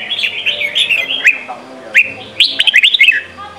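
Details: Red-whiskered bulbul singing Sông Kôn style training song for young birds: soft warbled notes, two sharp whistles, then a rapid burst of bright sliding notes.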